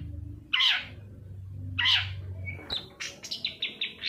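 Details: Long-tailed shrike lure for encouraging a quiet bird to sing: two harsh rasping notes, then a quick run of sharp, high chirps and twitters.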